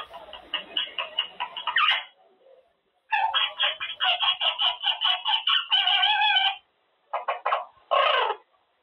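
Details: Caged male Quaker parrot, a Monk Parakeet, practicing words during cage time; dense runs of harsh speech-like syllables in strings lasting several seconds, broken by brief pauses, then two short bursts near the end.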